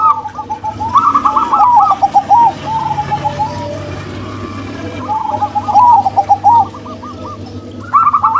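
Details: Cooing song of zebra doves, a local-type female paired with a crossbred male: two rolling phrases of quick, bubbling coos, each trailing off into softer, drawn-out notes, with a low steady hum throughout and a new phrase starting at the end.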